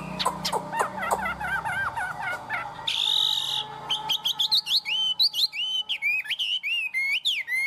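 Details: Tame caged Chinese hwamei in 'cao cầu' high-perch song: rapid twittering notes, a brief harsh buzzy burst, then a lively series of upswept whistles with sharp hooked ends.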